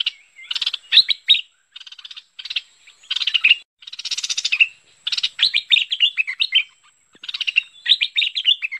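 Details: Bulbul known locally as merbah pet pet or lekir, a luring call: dense bubbly chatter in rapid clusters, lively warbled notes tumbling downward, repeated in bursts about once a second with a faint high whine behind.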